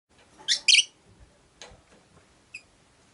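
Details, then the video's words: Rosy-faced lovebird, one of five kept in a cage by a window, gives two harsh, buzzy high chirps close together, then a short faint squeak, over a low murmur of street background noise. "Lovebird Chirping Sounds"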